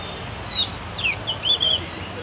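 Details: Javan Grey-throated White-eye, known locally as cucak gentong, learning to sing: a few thin whistled notes, some sliding down, spread over two seconds against a steady background hiss.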